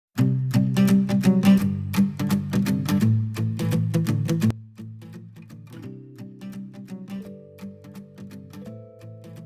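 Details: Strummed acoustic guitar music, loud at first and then softer with picked notes, and no animal sounds.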